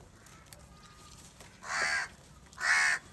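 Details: Huge flock of crows crowding around salty food; after a quiet start, two loud, rasping caws ring out close together, the second stronger and slightly longer.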